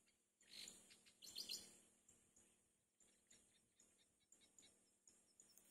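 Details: Wild mourning dove chick alone in its nest, looking for its mother: soft high chirps in short bursts with scratchy rustling, louder near the start, then fainter chirps spaced about every half second.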